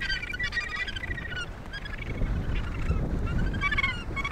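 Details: Australasian gannets at the Point Danger breeding colony near Portland, Victoria, Australia: many overlapping harsh, rasping calls with stacked harmonics, a continuous chorus of birds over a low rumble of wind and surf.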